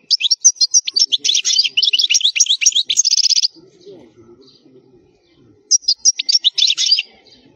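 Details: Wild European goldfinch in khalwi song, meant as a tutor for young birds: a dense run of bright high twittering notes ending in a buzzy rattle, a quiet stretch with soft low background sound, then a shorter twittering phrase.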